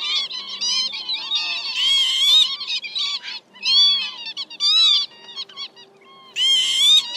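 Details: Northern lapwing calls played as a lure for night net-trapping of migrating birds in March, meant to call in a flock of males and females: nasal, arching wheezy notes in bursts, some overlapping, with quiet gaps between groups.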